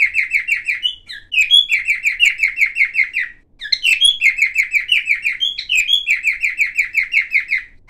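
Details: A silver-colored cockatiel sings with a mix of sounds, rapid runs of short chirps, nearly three a second, broken by upward-sliding whistles and a brief pause midway; quiet room, no background noise.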